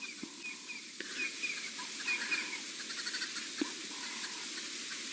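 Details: Green wood-hoopoes calling in Djuma game reserve, Sabi Sand, South Africa, upset by a female leopard on a morning drive and giving away her presence: chattering, repeated harsh calls and clipped whistles over a steady background hiss.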